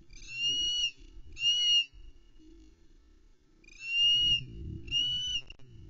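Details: Female Osprey at a Loch Arkaig nest, recorded by nest camera on 11 May 2020 in late afternoon, calling impatiently in full voice while awaiting a trout delivery from her mate: four loud, whistled, slightly rising notes in two pairs, with low rumbling noise beneath.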